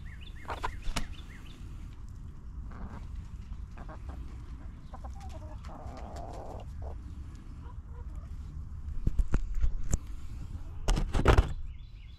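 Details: Backyard chickens relaxing in their coop: low, harmonic clucks and a drawn-out wavering call midway, with scratchy clicks and knocks over a steady low rumble; faint small-bird chirps at the very end.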